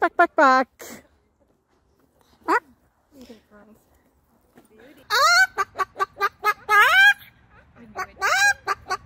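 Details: Pet Moluccan cockatoo greeting friends at a park in summer: a short harsh squawk, a quiet stretch with soft murmurs, then a rapid run of loud clipped notes and rising harmonic squawks.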